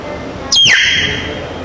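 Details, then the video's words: Talking black myna bird giving one loud whistle that falls steeply from high to a lower, steady tone and slowly fades over about a second. "MYNA | Talking Black Bird"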